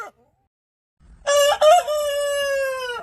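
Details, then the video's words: A single rooster crow after a pause: a rough, rising opening that settles into a long, steady, clear ringing note held for nearly two seconds. "Suara Ayam Berkokok Panjang Ayam Jantan Berkokok Rooster Crowing"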